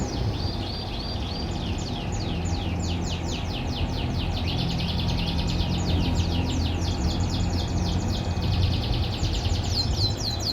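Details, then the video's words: Canary kept on a private farm, singing in the morning with a long rolling trill of rapid descending notes that changes tempo and tone across several tours. Low droning noise continues throughout. "MASTERAN KENARI PAGI HARI"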